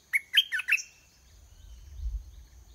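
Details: Decoy red-whiskered bulbul kept caged, singing to draw a wild bird in to fight; a rapid series of four rich, slurred whistled notes, then a low rumbling background.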